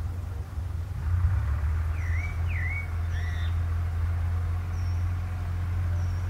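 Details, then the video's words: Pale-breasted thrush singing solo: three clear slurred whistled phrases that dip and then rise, followed by faint thin high notes, over a steady low rumble. "SHOWWWWW DE CANTO DA SABIÁ BARRANCO (Turdus leucomelas)"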